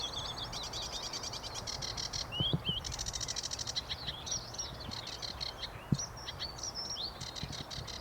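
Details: A lone sedge warbler, low down at a site with few reeds, sings a fast, scratchy jumble of chattering phrases, buzzy rattles and sharp whistled notes without pause, over a low rumble of background noise.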